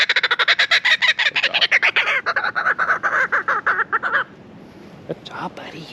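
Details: Trained kookaburra at Croc World, South Africa, flying to people for treat rewards, laughs: a rapid, harsh chuckling run of notes, about nine a second, slowing and softening over four seconds, then near quiet with faint voices.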